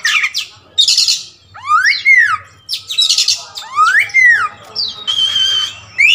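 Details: Kacer wulung magpie-robin alternating harsh hissing bursts with loud arched whistles that rise then fall, repeated in separated phrases roughly every two seconds.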